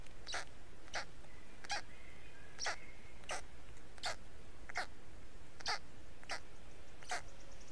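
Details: Black stork at a nest in Estonia, 20 May 2018 around 14:02, after a change-over as an adult arrives and feeds the chicks while the third hatches; dry, hissing rasps repeated about every 0.7 seconds, with a faint thin whistle of another bird.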